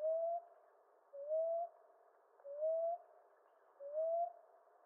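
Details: Steady, monotonous cooing by a common ground dove from eastern North America, each mellow note sliding slightly upward, four notes evenly spaced about 1.3 seconds apart.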